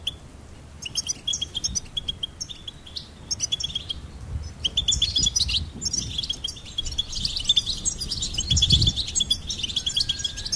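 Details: Steady, high goldfinch twittering of quick chirps runs throughout, thickening into a dense flurry in the second half, with soft low background noise.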